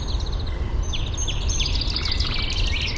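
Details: Eurasian penduline tit gathering nest material for a nest, still only a ring, high in a birch at Fysingen, Uppland, Sweden, taken with a parabolic microphone; thin high sweeping notes and drawn-out whistles over steady low wind rumble.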